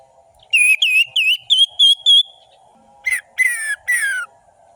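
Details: Lure song of an orange-headed thrush, meant to provoke silent birds into singing. A run of six quick, bright whistled notes is followed by a short pause, then three harsher notes that slide downward, over a faint background hum.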